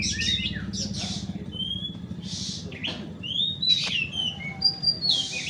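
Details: Oriental magpie-robins, called kacer, at a bird-song contest in Desa Rawa Mulya, Mukomuko: bright high whistled phrases, rising sweeps and sharp chirps over a steady low hum of crowd noise and music.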